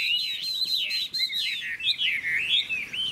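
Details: Hwamei in song contest, a golden bird with a large tail and wing display, pouring out a steady run of looping whistles and rippling slurs, high and continuous with barely any gaps.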